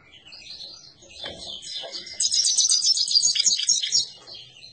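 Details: Himalayan goldfinch singing a rapid, twittering run of high, buzzy notes that starts softly and swells into a dense, bright burst of quick chirps and trills before fading again.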